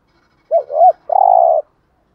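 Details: Gù thúc coo of a spotted dove, meant to lure wild doves: a doubled, rising-and-falling wavering note, then a long flat low coo, with silence around the phrase.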